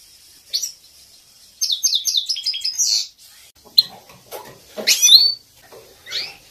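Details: Female goldfinch voice for training captive males: a quick run of rapid descending twitters, then scattered clicks and a louder rising note.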